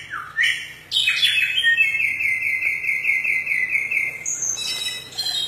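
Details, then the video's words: Forest samyong song: a rising note and a sharp harsh burst lead into a long, level, vibrating whistled tone held for over three seconds, closing with higher chattering notes. "suara burung samyong dihutan sungguh indah"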